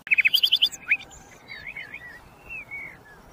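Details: Sikatan londo, the common nightingale: a burst of rapid, sharp repeated notes and a quick slur, then a sequence of soft, wavering and drawn-out whistles.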